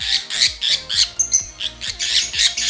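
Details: A Fischer's lovebird held in hand, one of a green pair, calls insistently with harsh, shrill screeches about three times a second over faint low tones; the owner says this much noisy calling marks the male, which also tries to escape the cage.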